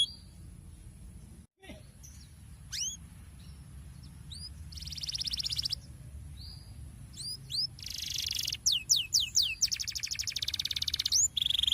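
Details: Canary giving a rolling 'ngerol' song, used as a lure to get canaries that sing poorly to join in: sparse sweeping whistles, then buzzy bursts and fast rapid trills building toward the end over a low background hum.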